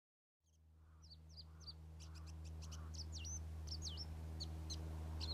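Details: Karoo scrub robin singing steadily: a run of high, thin whistled notes and sharp downslurred and upswept phrases, quick clicks between them, with a constant low hum behind.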